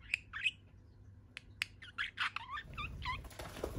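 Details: Happy budgerigar balancing on one leg and babbling: a few scattered squeaky chirps, then a quick burst of wavering warbled notes toward the end, followed by a soft rustling noise.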